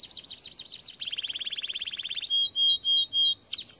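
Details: Canary song used for training canaries: rapid rolling trills of down-sweeping notes, then a fast buzzy trill, ending with loud pure whistled notes repeated about three times per second.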